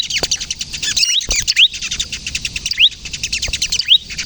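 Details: Bar-winged prinia, crystal type, singing to attract and prompt other prinias; a dense high twitter, with clear rising whistles standing out about every second.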